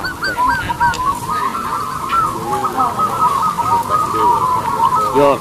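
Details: Loud zebra dove chorus from local birds with long, ringing voices used as lures: dense overlapping cooing notes run nonstop, with a few lower bubbling calls underneath.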